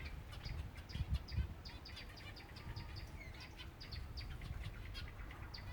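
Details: Silver Java sparrows at feeding time, several birds calling together: a dense stream of short, high, clipped chirps and ticks, overlapping and rapid throughout, over a steady low rumbling background hum.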